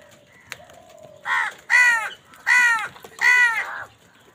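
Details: Fighting for food, a crow gives four loud, nasal, strongly harmonic caws, each about half a second long and spaced almost evenly, over a quiet background with a faint whistled note.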